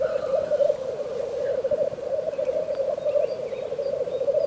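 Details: Black grouse in wintry frost, a loud, even, warbling bubble that carries on continuously, with only faint scattered chirps above it.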